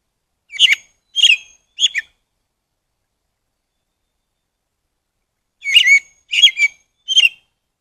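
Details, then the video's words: Rufous-bellied thrush (sabiá-coleira) giving two groups of three short, loud, complex warbled notes, the groups about five seconds apart, in a quiet setting. "Sabia Coleira"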